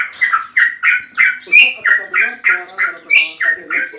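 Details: Rapid scolding series from a male Yellow-vented Bulbul challenging a rival: rasping notes roughly three per second, evenly spaced and loud, with a faint low hum appearing midway.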